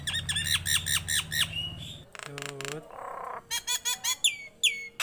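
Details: Captive, tame Nias hill myna in energetic song, a fast burst of harsh clicking notes over a low humming voice-like tone, a brief buzzy squeal, then a series of sharp chacks and two high downslurred whistles.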